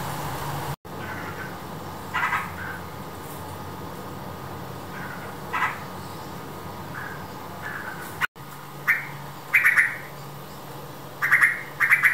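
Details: Yellow-vented bulbul, a mother raising chicks: short chirping notes scattered through the recording, growing louder and clustered near the end, over steady low background hum.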